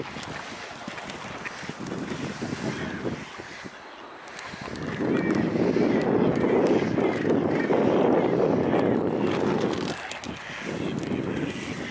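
Wind rumble and water or boat noise swell and fade, with no animal calls heard.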